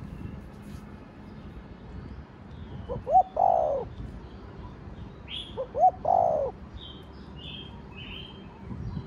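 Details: Spotted dove, called cu gáy or cu đất, singing in the Thổ Đồng voice style: two cooing phrases, each of quick low notes ending in a longer slurred coo. Faint high chirps from other birds sound behind.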